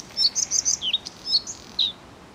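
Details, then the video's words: Bluethroat song phrase: a quick medley of high, squeaky, slurred and buzzy notes, some dipping then rising, delivered in a lively two-second burst. "The song of the Bluethroat"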